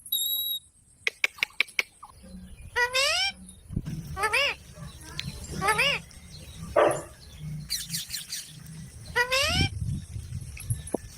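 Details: Parrot giving several rising, harmonic squawk-like calls in separate bursts over a constant background hum, with clicks and rustling between them.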